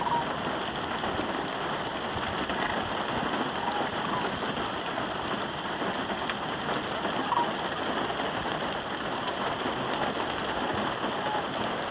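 Steady rain patters throughout, a dense even hiss with scattered drop clicks and no animal voices.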